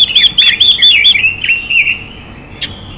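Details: Female Chinese hwamei singing to excite male birds: a run of clear, bright whistled notes with quick upward and downward slurs that fades into softer, lower phrases.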